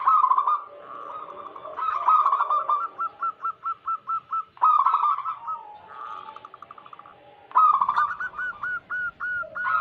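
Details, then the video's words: Local wild zebra dove song, meant to draw in wild doves: alternating blurred bursts and clean runs of evenly spaced, clipped coos, repeated in phrases several seconds long. "Lokal Alam gacor pancingan pikat burung perkutut"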